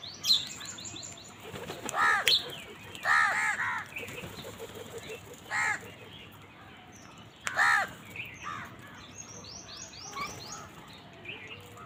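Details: Crows squabbling over food utter rough, rasping caws in uneven bursts across roughly twelve seconds, the loudest few seconds apart, with small birds twittering high in the background.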